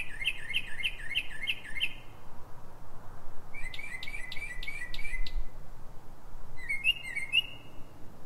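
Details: Pre-dawn song of a Northern mockingbird in Silver Spring, Maryland, USA, 3:44 a.m.: a fast series of six sharp repeated chips, a pause, then a burst of buzzy clicking notes, then a short varied phrase, over low night hum.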